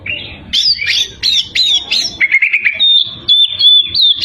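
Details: Oriental magpie-robin in full song to provoke rivals: a series of rising whistled notes about three per second, then a buzzy trill and steady high whistles.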